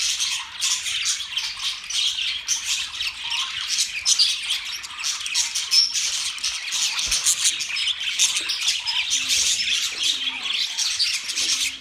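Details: A group of pet budgerigars, October 11, 2023, keeps up rapid, overlapping chirps and scratchy warbles for the whole stretch, sounding busy and even, with a few brief low tones late on.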